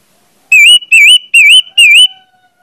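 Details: Orange-headed thrush singing to draw other thrushes into song: four loud, wavering whistled notes in a steady series, each with a slight up-and-down warble.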